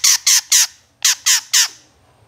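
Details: Long-tailed shrike harsh calls from a master recording for training songbirds: two sets of three loud, rasping squawks, separated by a brief pause.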